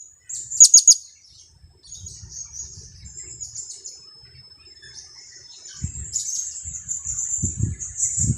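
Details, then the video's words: Two-week-old blue-crowned hanging parrot serving as a lure: a rapid burst of three piercing high notes, then continuous thin twittering, with soft low rustling and knocks in the background. "junior KIAK²...usia 2 minggu"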